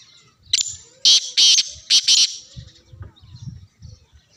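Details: Black francolin calling in Sindh, Pakistan: a burst of four loud, harsh, rasping notes, grating and high-pitched, the last two paired closely, with soft low rumbles and faint background sounds afterward.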